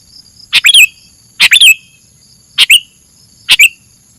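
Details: Masteran recording of a sooty-headed bulbul: four short groups of two or three sharp chirps, each ending in a bright falling slur, at a steady pace of about one group per second over a faint electronic whine.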